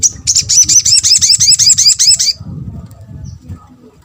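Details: Crimson sunbird (sogok ontong) used as a lure to draw a response from other sunbirds, giving a rapid series of high, thin, down-slurred notes for about two seconds before falling quiet, with low background hum.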